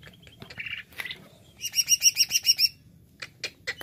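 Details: Jamtrok wik wik singing of a cucak ijo, or greater green leafbird: a few short buzzy notes, then a loud rhythmic series of about eight bright, very high pulsed notes, followed by sharp isolated chips.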